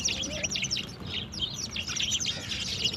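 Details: Sparrows in the morning, drinking and playing with water, chirp steadily in a busy overlapping chorus of short, bright, high notes over a faint low hum.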